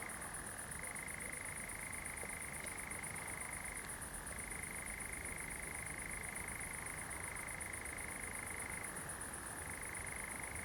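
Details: On the night of 7 July 2020 at Pinoa, Zamudio, Bizkaia, among glow-worms, a European Nightjar suddenly starts an unbroken mechanical churr that drops briefly in pitch three times, over a steady high insect hiss.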